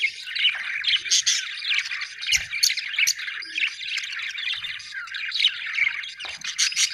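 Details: A lively, unbroken budgerigar warble of scratchy chirps, buzzes and high squeaks, with occasional faint taps.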